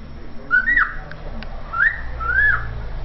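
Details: Pet cockatiel whistling a learned tune, the Vasco da Gama anthem: three clear, sliding phrases that swoop upward and then dip over about two seconds, over a low background rumble.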